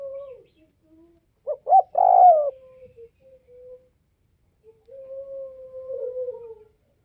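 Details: Northwestern Vietnamese spotted dove giving one loud phrase of two brief hoots and a long falling coo. Softer, smooth, steady cooing follows and continues for several seconds.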